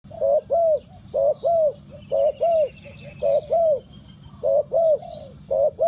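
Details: Spotted dove kept as a decoy to lure wild birds, giving low hollow coos in quick pairs, each pair about a second apart, steady and loud against a soft background hum.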